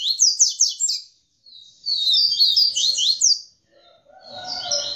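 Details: Caged double-collared seedeater, tamborete song type, singing after mating with the female: three bursts of rapid, high, chevron-shaped chirps separated by short silences; a softer lower rustling sound accompanies the final burst.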